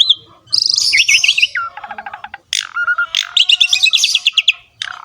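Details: Javan pied starling singing in the lively ngerek style, meant as a training recording to spur other starlings to sing; a high whistled wavering phrase, then a dry stuttering rattle and a run of sharp repeated chirps, with faint low hum.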